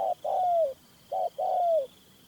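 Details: Decoy Spotted Dove, kept captive to lure a wild male into a trap, repeats a two-part phrase twice: a short soft coo, then a drawn-out coo falling in pitch, with a faint high whine behind.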